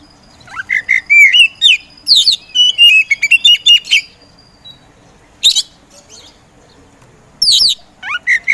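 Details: Caged Oriental magpie-robin, a favourite contest songbird, sings a rising whistle into a long, fast varied phrase of chirps and warbles, followed by scattered harsh notes after a pause.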